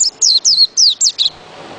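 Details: White-eye uttering five quick, high, thin notes, each gliding sharply downward, in a short burst.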